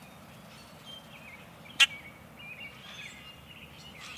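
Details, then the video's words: Common grackle, an early spring migrant returning in February–March, giving one sudden harsh creaking squeak like a rusty gate over faint high twittering from other birds. "Common Grackle – Voice of the Wild"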